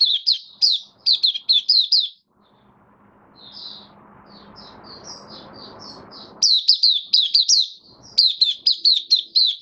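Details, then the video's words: Opening song ('buka sing') of a kept white-eye after a deworming course, recorded 18 May 2022: quick clusters of piercing downslurred chirps, a softer, scattered middle stretch with faint background hiss, then fast chirping bursts again. "Mata Puteh Kitaro buka sing"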